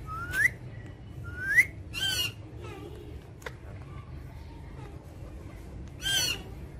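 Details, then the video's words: Pet ring-necked parakeet, said to talk, gives two quick upslurred whistles, then a raspy harmonic squawk, a soft pause with faint murmurs, and another harsh squawk near the end. "ringnackparrot talking video"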